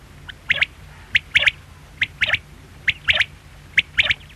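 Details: Quail giving crisp, high three-part calls, a single short note then a rapid pair, repeated at roughly one-second intervals over faint background hum.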